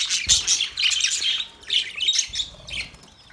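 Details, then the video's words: Male budgerigars chirping: rapid raspy high-pitched chatter in overlapping bursts, with a short lull midway before more squawky notes. "Male Budgies chirping sounds"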